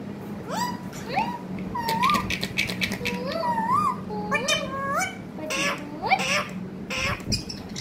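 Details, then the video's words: Talking parrot in a long busy stretch: many bent, wavering whistled syllables and rasping word-like sounds, coming in quick succession with hardly a pause, a low hum running underneath. "Pyaari baate karne wala tota"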